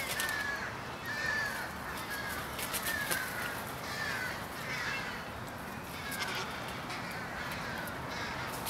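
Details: An evening pre-roost gathering of American crows in Charleston, Coles County, Illinois, USA, on 16 January 2015: a constant chorus of harsh, overlapping caws, with a few clearer caws rising above the steady din.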